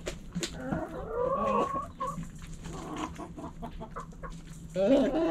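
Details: Backyard chickens, hens clucking: short harmonic clucks run together in a busy burst around the first two seconds, then quieter scattered clucks and a louder rough cluck near the end, over a steady low hum.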